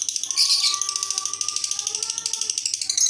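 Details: Lovebird producing an unusual call: a continuous rapid, buzzy pulsed chatter throughout, loud and even. A quieter lower sliding tone sounds beneath it indoors.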